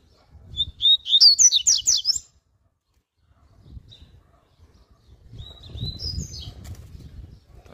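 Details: Strong, fast 'tui tui' warm-up song of a double-collared seedeater: a rising whistle running into a rapid string of loud, sharp chirps, then silence and a quieter whistled phrase over low rumbling noise.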